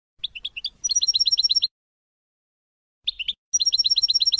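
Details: Melodious song of a European goldfinch, recorded for teaching young birds in 2020: a few quick chirps, then a fast even trill of about a dozen sharp notes, the pattern given twice with a pause between.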